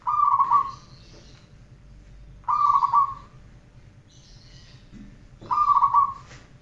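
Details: Zebra dove song for training: three short rolling cooing phrases spaced roughly every two and a half seconds, each a quick burst of trilled notes over a low steady hum.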